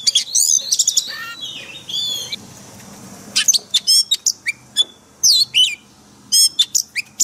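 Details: Caged-bird training song of an Oriental magpie-robin in forest style: dense high chatter and whistles, a quieter warbled passage, then loud separate sharp notes repeated at irregular intervals.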